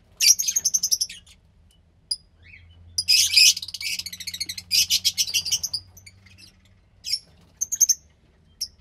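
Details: Captive Fischer's lovebird chick, around 15 days old, from lutino and pastel blue parents: rapid high pulsed chirping in long rasping bursts, then shorter squeaky notes spaced apart, over a low background hum.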